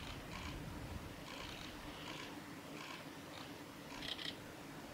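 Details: Male Siberian long-tailed rosefinch on the Hayatogawa forest road at Lake Miyagase, Japan, 17 March 2018, giving soft, short whistled notes about once a second over a steady low rumble of background noise.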